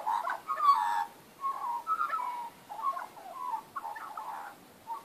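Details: Magpies in a backyard, recorded 19 April 2014, warbling a run of mellow, gurgling phrases around a steady mid pitch, with short pauses between bursts and a quiet background.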